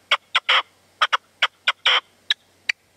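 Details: Partridge at sunset in the sierra near Manzanares, February, calling to a decoy: a few sharp clicking notes mixed with two longer rasping calls, spaced irregularly across three seconds.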